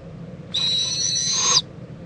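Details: Owl mother checking on and preening her owlet in Indiantown, Florida, 11:45 AM, February 26, 2014; one sustained hissing screech of roughly a second, even in pitch, lifting faintly at the end before stopping sharply.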